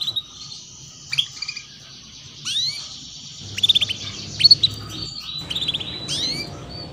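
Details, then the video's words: 'Cuit cuit' chirping of a female canary, meant to prompt young canaries to start singing: sharp upswept chirps and quick trilled clusters over a faint continuous high buzz and low background hum. "PANCINGAN Kenari BETINA Cuit Cuit || Masteran Kenari Paud Agar Cepat Bunyi"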